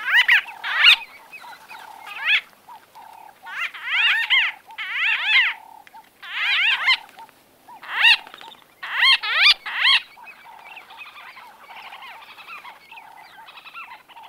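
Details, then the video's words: White-fronted bee-eaters in close-range conversation. Loud bursts of squelchy, trilled calls come in clusters roughly every second, with brief gaps between them, then fade into quieter chatter near the end. "White-Fronted Bee-Eater. NB: Exact Date Of Recording Not Known. MCU-CU Conversa"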